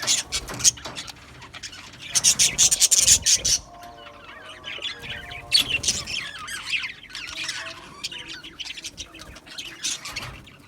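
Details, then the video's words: Aviary colony of Australian budgies giving bursts of loud, buzzy high chirps near the start and middle, between quieter stretches of soft warbling chatter. "Beautiful Australian Budgie birds Chirping Sounds"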